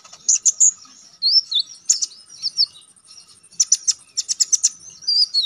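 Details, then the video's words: Konin songbird used as a training recording for song contests, singing lively and constantly with sharp shooting notes: high chirps, short buzzy bursts and quick downslurred whistles in clusters, with brief pauses between phrases. "Konin damer gacor ngalas nembak tajam"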